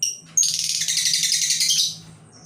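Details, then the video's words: Labet bird kept as a lure to attract other labet birds: one sharp high note, then a sustained rapid chattering trill of harsh, buzzy high notes lasting over a second before fading, with steady low hum beneath. "Burung lakbet pemikat untuk memancing Burung Labet lain"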